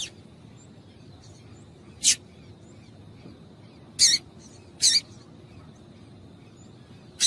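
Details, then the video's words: Female double-collared seedeater calling to rouse a male into singing: single sharp, high, clipped chips spaced about one to two seconds apart, with faint hiss between. "Piado de Fêmea de Coleiro Para Esquentar Coleiro"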